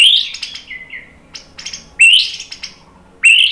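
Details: Bright high whistled phrases of a white-rumped shama, used to coax other birds into singing, each starting with a sharp upward sweep followed by clicks and short chips.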